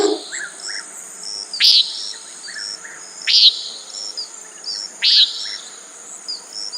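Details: Three short, slightly softer nasal peents from a common nighthawk, evenly spaced about every one and a half seconds, set against a persistent insect drone.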